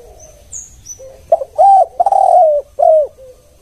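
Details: Spotted dove, known locally as tekukur, giving a lure call: a soft low lead-in, a short note, then three drawn-out coos with falling ends, plus a few faint high chirps from another bird early on.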